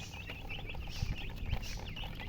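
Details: Freshly hatched chicken chicks give loud, piercing peeps, short notes with quick up-and-down pitch bends packed tightly together, with two soft low thumps in the background.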